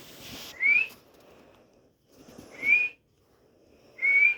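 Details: Talking parrot giving three clear, rising whistles about every 1.7 seconds, each short and pure-toned, with soft background noise between them.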